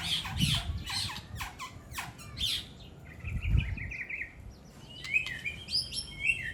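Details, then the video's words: Competition song material traded between two songbirds in a song duel: sharp downward chips at first, then a fast warbled trill and high twittering phrases above a steady low hum. "Saling bongkar isian andalan perang kicau Hercules dan Cobra"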